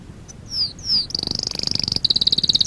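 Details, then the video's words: Canary song used for training: two drawn-out falling whistles, then a rapid high pulsed trill that runs steadily to the end. "Kanarya sesi kanarya eğitim/1 canary sing"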